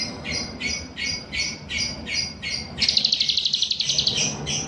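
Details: A grey-bellied bulbul singing hard, its song filled with cicilin imitation: a string of evenly spaced two-part whistled notes, then a fast chattering trill of high clipped notes; faint low background noise.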